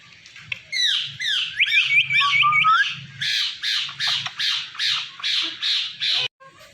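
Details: Indian ringneck parakeet kept as a pet, talking at night: a string of chattering syllables with whistled rising and falling notes, then a run of about eight harsh squawk-like word sounds roughly every half second, with low indoor hum.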